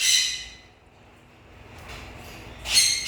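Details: Macaw giving two harsh, very high-pitched squawks, one at the start and one near the end, separated by a quiet gap with faint background noise.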